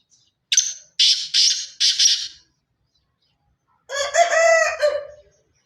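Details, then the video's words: Black francolin, pure Sindhi stock of the Sindhi chirki line, delivers four grating, buzzy notes in a brisk series. A long rooster crow with rich harmonics follows. "pure Sindhi Kale teetar Ki Awaaz"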